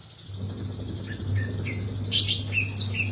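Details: Long-tailed shrike singing eagerly: a few short whistled slurs, then a quick burst of higher, scratchy notes and more brief whistles, with a low electrical hum throughout.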